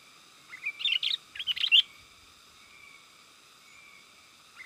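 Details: A sooty-headed bulbul gives a lure call, meant to excite wild bulbuls in the forest and to tutor birds at home. Two short bursts of bright chirping notes sound over a steady faint hum, followed by quiet.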